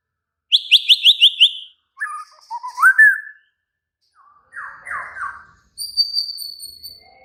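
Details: White-rumped shama singing agitatedly: a rapid trill of about seven repeated sharp notes, a rising slurred whistle, two buzzy lower notes, then a long high thin whistle.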